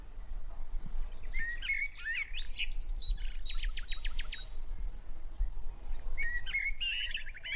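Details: Quaker parrots, or monk parakeets, chatter steadily while preening one another: rapid high chirps, squeaky whistled notes and quick trills in clusters, set over a continuous low background hum.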